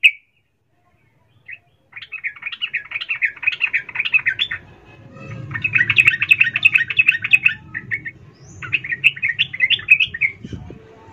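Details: Female sooty-headed bulbul calling a male, emotional ngecuplik style used as a lure; long runs of fast, bright chattering notes broken by short pauses, low rumble in the middle section.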